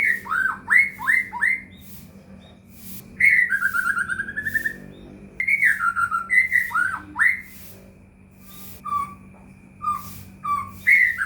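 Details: White-rumped shama lure song to make other shamas respond, with rapid looping whistles, a long descending trilled phrase, then short scattered whistled notes, a constant low hum in the background.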